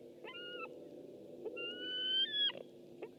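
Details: A white-tailed eagle is picked up by a webcam on 6 August 2015: a short, level whistle, then a longer one climbing gradually in pitch and ending in a sudden downward break, with background hum throughout.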